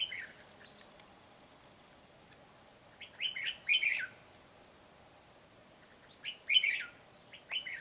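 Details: Red-whiskered bulbul used as a decoy for trapping wild birds in Hòa Bình, Vietnam, on 14 November 2020. Two short warbled, chirpy phrases near the middle and end, with a steady high insect whine throughout.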